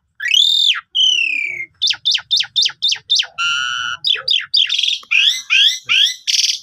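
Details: Asian pied starling song meant to stimulate a sulking starling, captured on a phone camera: an arched whistle, a falling whistle, a series of rapid chips, a buzzy harmonic tone and dense twittering trills.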